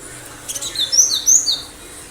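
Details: Cinereous tit singing vigorously: a brief run of four or five sharp, high, thin notes, some sliding downward, in a quick cluster around the middle, with a faint steady background hiss.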